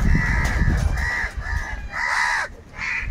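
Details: Crows fighting for food give loud, harsh caws, about five grating calls in quick succession over three seconds, the last two shorter and higher, with low rumbling background noise.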